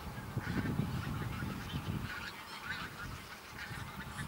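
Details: Several thousand bean geese on a field at Texel, Netherlands, 22 November 2014, give a dense, overlapping chorus of nasal honking calls, several each second, over a low rumble of wind; about half flew off.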